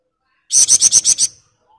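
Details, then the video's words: Sunda bush warbler in full continuous 'ngebren rapat' singing: a rapid burst of six sharp, very high chirps, evenly spaced and bright, lasting under a second before falling silent, with no other sounds. "Burung Flamboyan Gacor Ngebren Rapat"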